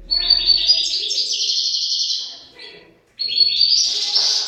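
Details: European goldfinch pair singing: a sustained phrase of fast tinkling twitters and buzzes, a pause, then a second rising twittering phrase.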